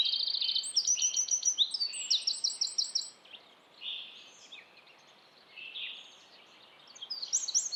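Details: Eurasian wren in Estonia sings a loud, fast burst of high, sharp notes and rattling trills for about three seconds, followed by fainter high chirps.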